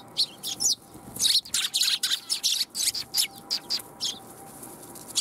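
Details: A flock of sparrows at a Tenmangu shrine on 1 January 2021, coming for food. They keep up a continuous chatter of high, crisp chirps, overlapping and tightly spaced throughout.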